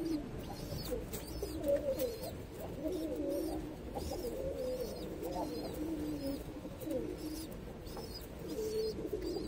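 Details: Ash-coloured baby pigeon, a pet kept indoors, giving soft low cooing notes in a small room; faint background noise and a few sharp ticks.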